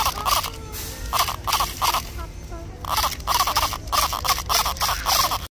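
A macaw gives harsh, raspy squawks in short bursts, several per second, with a brief quieter pause midway; possibly mixed with human voices.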